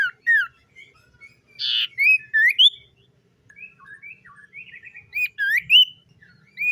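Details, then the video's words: Morning song of a common iora, made of sharp upslurred and downslurred whistles in uneven bursts, with one harsh buzzy note early on and softer chattering notes in between. "SIULAN TERMERDU BURUNG SIRTU DI PAGI HARI"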